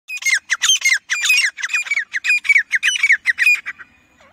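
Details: Grey francolin calling: a fast run of harsh, squawky, rasping notes, about twelve in four seconds, each with a sharp upward-bending pitch, then silence.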